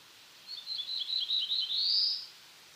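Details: One song from a black-throated blue warbler: high, buzzy notes stutter in a quick run, then a longer, loud, rising buzz closes the phrase. Soft background hiss.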